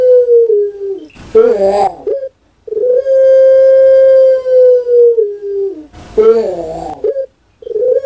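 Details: A kept Barbary dove of the Puter Pelung type (Streptopelia risoria), a national champion singer, gives long, drawn-out low coos, each held about two seconds, broken by rougher, rolling coo phrases.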